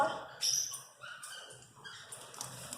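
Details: A four-year-old female Congo African grey parrot, a pet, talks in short, speech-like bursts with bright, shifting tones, a few syllables at a time, broken by brief pauses.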